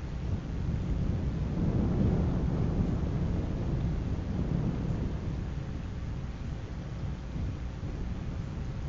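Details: Heavy low rumbling wind buffeting the microphone, swelling and easing throughout.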